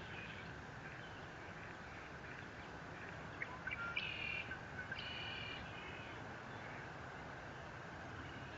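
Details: High chittering eagle calls from a nest camera at Fort Saint Vrain, 30 April 2021: a cluster of sharp short notes then two thin squealing phrases midway, set in continuous low hum and broadband noise.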